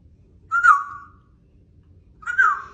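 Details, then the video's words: Female African grey parrot at home, talking back to her owner with attitude: two short whistled notes, each rising sharply then sliding down, about two seconds apart, amid the owner's scolding speech. "African Grey Parrot Talking Back To Her Owner"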